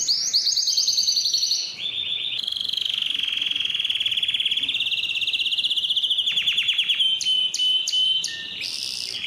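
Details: Clean canary song for getting males to sing: high rolling phrases drop into a long steady buzzy trill, followed by a rattle and a series of sharp clicking notes.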